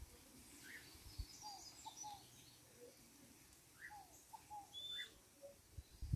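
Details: Scaled dove giving quiet paired and triple whistled coo notes in a repeating phrase, with a higher note in each group. Thin high chirps from other birds and a low background hum accompany it.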